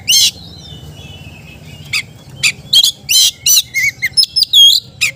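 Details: Oriental magpie-robin (kacer) song, played to get reluctant magpie-robins singing. Loud harsh scratchy bursts alternate with thin high whistles and a few lower warbled notes, delivered in irregular clusters over a low steady hum.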